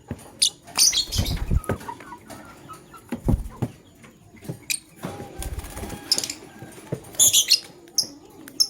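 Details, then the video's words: Male lovebird choosing a partner: shrill chirp bursts mixed with clicks, wing flutters and knocking thumps. "LoveBird Chirping Sounds - Male LoveBird Choose a Partner"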